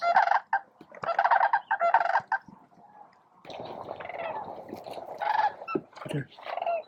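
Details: Thousands of snow geese at Bosque del Apache around noon, feeding, grooming and facing off; clamorous bursts of overlapping honks, a quieter lull, then a steadier babble of calls from the flock.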